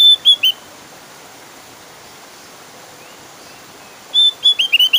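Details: Javan grey-throated white-eye singing loud, insistent song meant to lure other white-eyes into calling. A short burst of high chirps is followed by about three and a half seconds of quiet, then a quick string of bright, slurred whistled notes.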